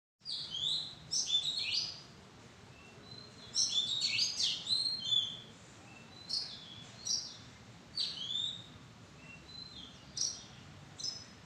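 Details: Oriental magpie-robin calling from a madan tree arbor: clear, varied whistled phrases with sliding and rising notes and some sharp chirps, given in bursts about every second or two, over a low steady background hum.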